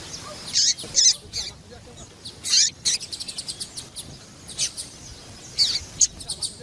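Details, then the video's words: Female Yellow-bellied Seedeater piadeira calling to excite males. Loud high chips open the recording, then a quick stuttering run of rapid ticks follows, with more scattered chips after it. "Fêmea de papa capim louca piadeira levanta até defunto !"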